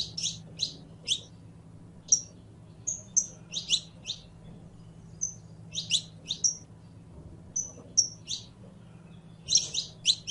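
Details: Saffron finch, locally canario criollo, delivering a long song: repeated bursts of sharp high chips in twos and threes mixed with short whistled notes, coming in lively runs separated by brief pauses, faint hum beneath.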